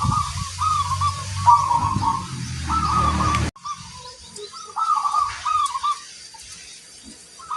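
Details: Local zebra dove with a big 'kung' voice, said to set others answering: repeated rolling, trilled coos, with a low rumbling noise in the first half that stops abruptly, then quieter cooing phrases.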